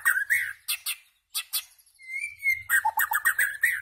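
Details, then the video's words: White-rumped shama song mixing rapid staccato chirps and clicks, a pause, one long pure whistle, then a fast rhythmic string of warbled notes at about four per second. "White-rumped Shama Bird Song Singing And Chirping"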